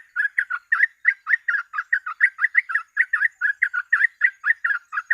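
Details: Sooty-headed bulbul singing in the rapid 'gacor ropel' style used for tutoring and luring birds: an unbroken string of bubbly, clipped notes, about four to five per second, steady in loudness throughout.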